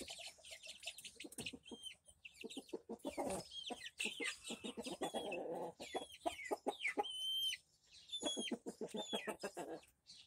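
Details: Rhode Island Red chicks recorded May 13, 2024, about a month after purchase. High, hooked peeps, each falling then flicking up, come repeatedly amid a dense patter of scratching and pecking clicks.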